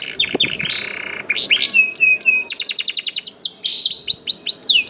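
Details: Juvenile canary singing to prompt other canaries: a buzzy grating opening, then crisp notes and a run of rapid downslurred whistles, faint hiss behind.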